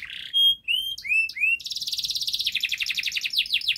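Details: Gacor canary whose song serves as a lure for canaries that have stopped singing: a brief buzzy note, clear rising whistles repeated four times, then an energetic, tightly packed rapid trill with sweeping notes.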